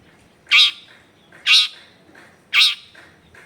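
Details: Long-tailed shrike song played as a lure to get other shrikes singing, recorded in a dense residential neighbourhood: loud harsh squawking notes repeated about once a second over low background noise.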